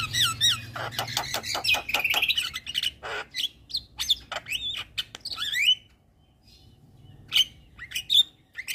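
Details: Javan myna singing steadily: scratchy broadband chatter and quick whistled slides, then a pause before a few sharp isolated notes.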